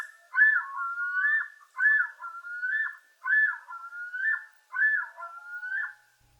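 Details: A Common Loon yodels, the call males make in spring to claim territory: four loud, wavering whistled phrases, each swooping up and down, repeated at an even pace about every second and a half.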